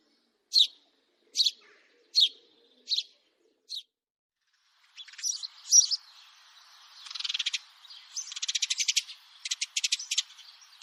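A house sparrow gives five sharp, bright chirps, about one per second. Then a busier run of chattering and rapid, rattling trills follows.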